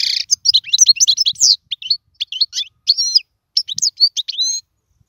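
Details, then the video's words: Caged European goldfinch singing, offered as a model for teaching chicks: quick, liquid twittering phrases of high, sharply rising and falling notes in bursts separated by brief pauses, ending in clear whistled notes. "اسمع المقنين واعطي رايك فيه,افضل تغريد لتعليم الفراخ"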